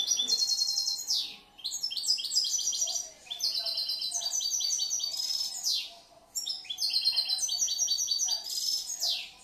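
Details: Year-old caged European goldfinch singing in three bursts separated by brief pauses, each a quick run of high liquid twitters, buzzy trills and descending slurred notes.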